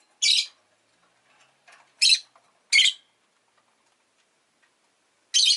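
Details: Rosy-faced lovebird, a pet, repeating loud, harsh, scratchy high chirps spaced one to three seconds apart, about four calls, with faint soft rustling sounds between them.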